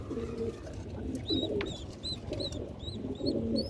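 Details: Pigeons kept on a rooftop give low, soft, rolling coos, with thin high chirps from small birds above.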